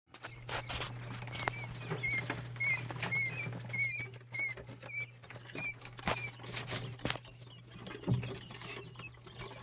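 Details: Two- and three-day-old Jumbo White Quail chicks, several birds, peep in short high downslurred notes with a clear overtone, overlapping irregularly about once or twice a second amid scratching and pattering sounds and a steady low hum.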